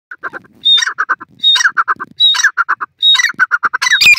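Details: Grey francolin calling in forest: loud, harsh repeated notes in quick bursts, each burst opening with a brief high whistle followed by a run of shrill, rasping syllables, recurring roughly every 0.8 seconds over a quiet background.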